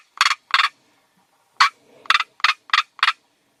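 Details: Northern black korhaan in its natural habitat giving harsh, rasping croaks: a pair, a short pause, then a quick run of five, with nothing else heard.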